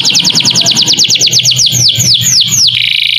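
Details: Canary singing a tutor song with lovebird-style phrases, meant for training young birds: a quick series of high, downward-sweeping whistled notes, about six per second, slowing near the end into a buzzy trill over a soft low rumble.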